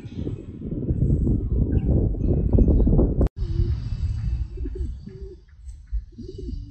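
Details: Pigeons: loud low rumbling dominates the first three seconds, then after a sudden break several soft, low, hoarse coos follow in short phrases over a quieter background hum.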